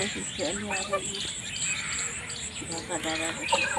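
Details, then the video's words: Farmed geese kept in a rice field utter clipped, nasal honking calls in quick bursts, with high bird chirps and faint voices around them. "Goose Sound"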